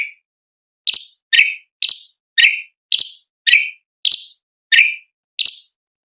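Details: Sooty-headed bulbul tutor recording for training competition birds, described as sharp, spicy variations: ten clipped, falling chirps with bright high overtones, repeated roughly twice a second at an uneven pace against silence.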